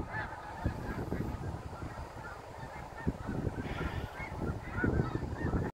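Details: Snow geese landing at sunset on the Saint Lawrence River in autumn 2017, a flock giving overlapping nasal honks amid constant low rumbling noise and a busy chorus of distant calls.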